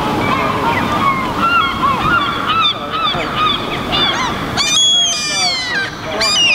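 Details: Lesser black-backed gulls on the coast at Helsinki, Finland, 11 July 2015, approach people hoping for food, giving overlapping nasal, wailing calls that rise and fall, with a harsher burst near the end, over steady surf and wind.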